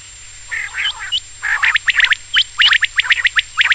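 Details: Night-time quail song: a quick, dense run of bright chirps that builds into rapid repeated strokes, with a steady thin high tone throughout.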